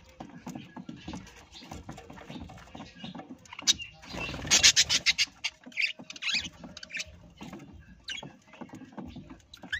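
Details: Parrot calling: a loud burst of rapid, harsh, pulsed chattering notes runs for about two seconds midway, over soft low rustling and fainter bird chirps throughout.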